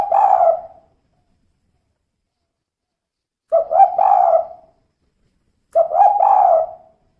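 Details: Female spotted dove's 'kuk 2' call: three separate cooing phrases, each a short clipped note followed by a longer, throaty, wavering coo, spaced a couple of seconds apart in a quiet setting.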